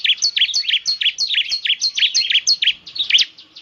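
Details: Bar-winged prinia, a 'semi' type in full song (gacor), recorded as a lure to prompt caged birds to sing: rapid, high, sharp chirping notes in a steady run, roughly one and a half per second, all very high pitched.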